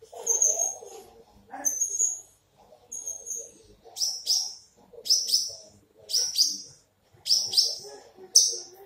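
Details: Horsfield's bush lark, big in body, repeats sharp, very high double chips about once a second after a few thin whistled notes, with faint low chatter behind.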